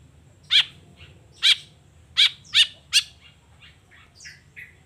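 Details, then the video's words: Morning calls of a long-tailed shrike: five loud, harsh, clipped notes spaced about half a second to a second apart, followed by softer scratchy notes over a low background rumble. "Suara Cendet Gacor Di Pagi Hari Toet Toet Bongkar Materi"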